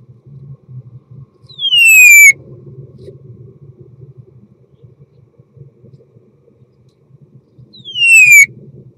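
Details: Common starling mating song: two loud, clear whistles sliding downward, about six seconds apart, over a low steady hum.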